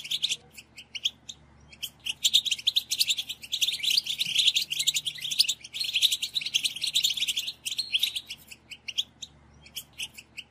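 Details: European goldfinch song to encourage captive birds to sing: scattered chirps build into a long, busy stretch of rapid twittering, then thin out to separate notes.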